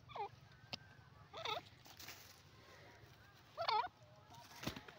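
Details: A francolin (desi teetar) gives three short, harsh, nasal call phrases, each a quick looping rise and fall, spaced a couple of seconds apart over faint clicks and background hiss.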